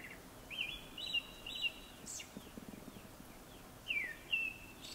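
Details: Before sunset a Japanese thrush delivers whistled phrases with high thin squeaky notes, a pause, then a pair of sweet downslurred whistles.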